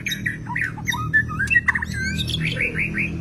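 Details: Long-tailed white-rumped shama in the wild delivering a lively string of short whistled notes and slurred phrases, ending in repeated upward sweeps; low background hum throughout.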